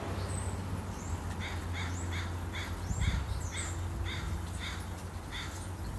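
Steller's jays give harsh, raspy notes about twice a second in a steady series, with thin high whistles from other birds over a low wind rumble.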